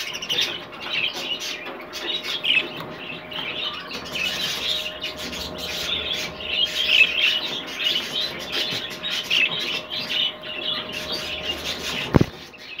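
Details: Captive rainbow clearwing budgerigar chattering in a continuous run of soft warbles and chirps, fairly even throughout, with a steady faint hum and a sharp click near the end.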